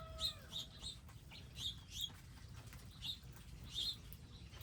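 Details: Wild birds at a garden feeding area with feeders, seeds and water; short high chirps repeat irregularly, some in quick pairs, over a steady low rumble.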